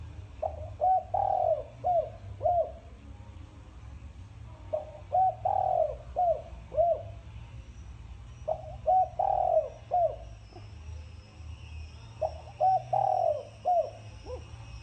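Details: Spotted dove of the thổ sấm style, a cu gáy, coos in repeated phrases: each a short run of mellow hooting notes with a stronger middle note, phrases recurring about every four seconds over a low hum.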